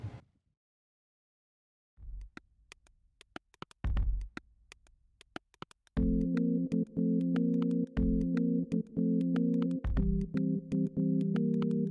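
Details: Soft clicks and low rumbles give way to sustained synthesizer chords, with no animal voice heard.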